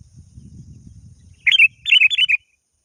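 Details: Sooty-headed bulbul, a lively bird calling a rival and used as a lure call. After a low rumbling start come two bursts of bubbly, chirping notes, the second burst a quick run of four.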